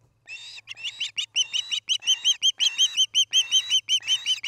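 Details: Osprey at its nest near Charlo, Montana, on a nest cam during an evening in late August 2018: a fast series of clear, arched whistled chirps, nearly three per second, with some harsher raspy notes mixed in at first.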